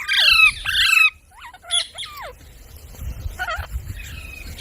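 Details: Parrot described as talking like a person gives two loud grating squawks, then short hooked whistles and a harsh note, fading to quieter scattered calls over background hum.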